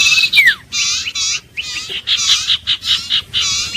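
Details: Iora calling: a string of harsh, buzzy, grating bursts with brief gaps, opening with a sharp downward-sliding whistle and ending on short rising notes, in a quiet background.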